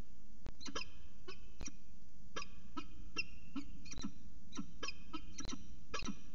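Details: Early-morning peregrine falcon chatter from CSU Orange, 25 December 2019, 05:29. Clipped, harsh notes are spaced irregularly, some doubled, over constant low-pitched background hum.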